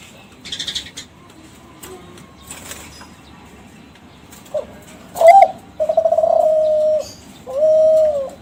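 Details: Young captive Kelantan zebra dove of a champion line, singing a lure for other doves. After several seconds of faint rustling, a sharp hooked note leads to a trilled coo held level and a final shorter sustained coo.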